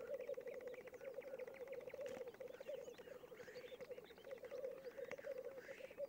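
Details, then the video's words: Black grouse displaying at a lek, giving steady pulsing low bubbling that runs on without pause, with faint hissing notes and other bird calls higher up. "Тетеревиный ток"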